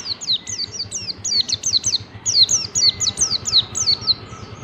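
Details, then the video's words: White-eye, called pleci, in 'ngalas bukpar' song meant for training caged birds: a steady stream of high, sharp downslurred whistles, roughly three per second, unbroken through the whole stretch over faint background noise. "Masteran pleci ngalas bukpar || pleci belajar ngalas bisa cepat ngalas bukpar"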